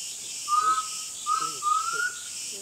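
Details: Undulated tinamou, a species mostly heard rather than seen, giving three pure, hollow whistles, the last drawn out and rising slightly, over a steady high hiss of insects.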